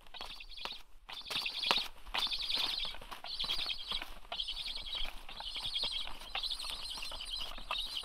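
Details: Black stork at its nest on 26 August 2022: harsh, hissing high-pitched bursts about a second long, repeated with short gaps, mixed with sharp knocks and clatters.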